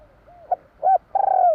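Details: Spotted dove of the Javanese 'kuk 3' type. Two short soft coos lead into a long, vibrating, burry coo that trails downward.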